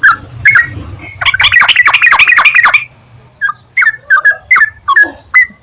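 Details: Sooty-headed bulbul song played to encourage caged birds to sing: short bubbly whistled notes in a fast chattering run, then separate liquid two-part phrases with brief pauses; faint low hum underneath.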